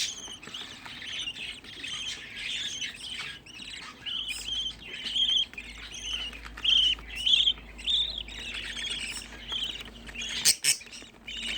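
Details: A group of sixteen budgerigar chicks, raised at home as a hobby, chatter in bursts of rasping chirps and short squawks, loud phrases separated by quieter gaps, with a sharp click near the end.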